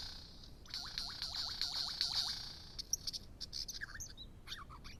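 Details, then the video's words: Superb lyrebird song: a fast run of about six looping, down-swept whistles, then sharp clicks and varied mimicked notes, over a steady high insect-like hiss. "Super Lyrebird"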